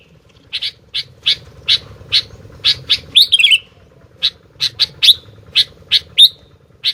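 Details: Sooty-headed bulbul in full voice. Regularly spaced bright chips are broken by one slurred, tumbling phrase midway, and several notes end in short downward glides. A low hum sounds beneath.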